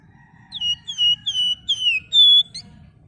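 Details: Flamboyan female calling the male with a run of five pure, loud whistles, each dropping in pitch and then held, the last one higher and flat, over faint low background noise.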